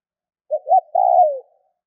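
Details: A single spotted dove phrase, meant to set other doves calling: a brief soft coo, a second short coo, then a longer throaty croo sliding downward at the end. Silence around it.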